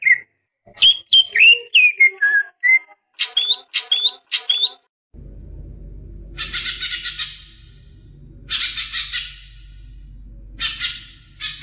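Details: Song of a greater green leafbird aimed at getting young birds to sing: quick whistled and chirped slurs in a lively sequence, followed by short bursts of dense high chatter over steady low noise.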